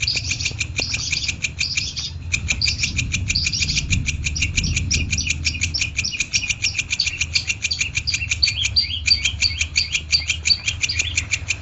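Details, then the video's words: Long-tailed shrike singing nonstop for over ten seconds in lively champion style: a long string of quick, sharp, chattering notes, paused only briefly twice, with low background rumble. "MASTERAN CENDET GACOR MANTAP"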